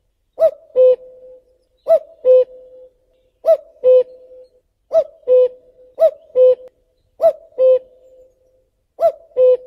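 Common cuckoo giving its familiar two-note 'cu-coo', the second note lower, repeated seven times about every second and a half against a quiet background.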